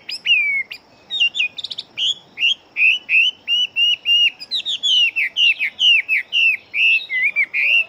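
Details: Fighting Chinese hwamei in full song: a long run of loud, evenly spaced whistled notes, many level or gently warbling, repeated about twice a second with a few rapid trills.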